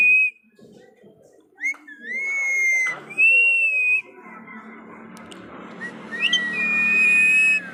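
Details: Household pet parrot producing swooping whistles that rise and then hold long steady notes, with softer chattering, voice-like sounds between them in a small room.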